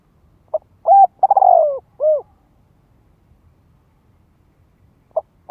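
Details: Spotted dove call used to draw wild doves in for a contest; a full low cooing phrase with a rolling middle note and falling end, then a pause and the start of the next phrase.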